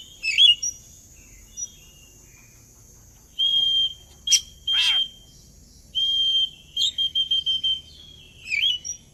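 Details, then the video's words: Oriental magpie-robin song played as a lure for birds to join in: long level whistled notes, a couple of sharp clicks, then a fast trill of repeated short notes and a final twisting whistle. "Suara pancingan burung Kacer agar ikut narung"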